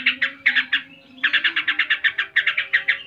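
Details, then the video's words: A yellow-vented bulbul sings its continuous "ngebren" song, a fast, bubbly run of chattering notes about six or seven per second, over a steady low hum. "Trucuk ngebren (gacor)"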